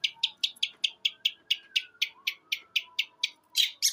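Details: Eight-month-old caged long-tailed shrike, Jember, East Java, in a one-breath mimicry song of sparrow, kuntilanak and tengkek buto: rapid, evenly repeated high chip notes, about four per second.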